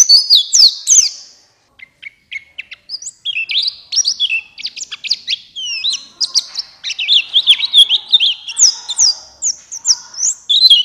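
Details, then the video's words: Buxtoni white-eye song meant to coax lazy white-eyes into full singing: bursts of high slurred chirps, a short pause with a few thin lower notes, then a long rapid twittering chatter. "Pancingan Pleci Cepat buka paruh Gacor Ngalas Bukpar"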